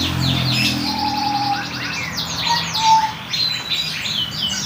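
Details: Young canary in song practice: rapid high trills and chirps mixed with a few soft steady whistled tones, one louder whistle midway, over light background hum.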